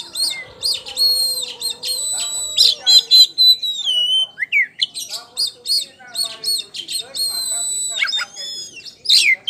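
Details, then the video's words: Oriental magpie-robin of the kacer poci type in gacor ngeplong song, a lure recording: dense high whistled phrases, long steady tones, falling slurs and quick chattering notes, delivered almost without a break. "PANCINGAN KACER POCI JUARA NGEPLONG GACOR"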